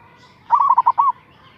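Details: Local zebra dove lure voice aimed at drawing a rival: one short burst of quick, bubbling, pulsed coos ending on a longer note, with a faint steady tone underneath.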